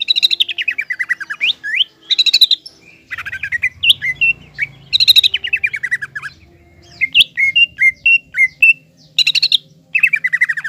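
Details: Green leafbird in full, vigorous song used to provoke and excite a spotted juvenile leafbird into fighting spirit: rapid descending trills of clear notes alternate with short whistled phrases and chirps in bursts, a low hum underneath.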